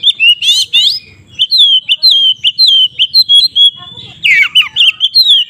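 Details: White-rumped shama in full song, used as a fighting provocation for other shamas: fast series of clear, ringing whistles with rising and falling slurs, interrupted by a couple of harsher, buzzy rattling bursts.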